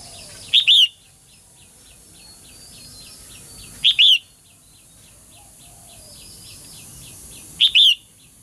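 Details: Female songbird calling to stir males into lively song. Loud paired chirps burst out about every three and a half seconds, with a running series of soft clipped notes filling the gaps against a quiet background.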